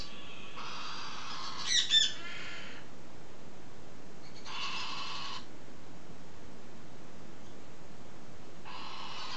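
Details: Galah calling with grating, noisy screeches: one long two-second burst, then shorter blasts about four seconds apart, with quiet background between.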